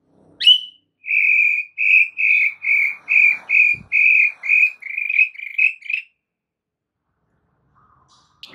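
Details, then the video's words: White-rumped shama delivering a steady series of about twelve even whistled notes in quick succession, from a training recording for other caged shamas, followed by near silence. "MASTERAN MUTAI BATU GACOR , 3 DETIK SAJA DIJAMIN NYAUT SEKETIKA"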